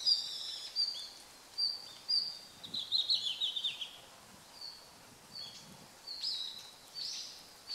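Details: Red-flanked bluetail in winter, 24 November 2012, giving thin, high whistled call notes at irregular intervals, with a brief scratchy chatter in the middle, over a quiet hiss of background noise.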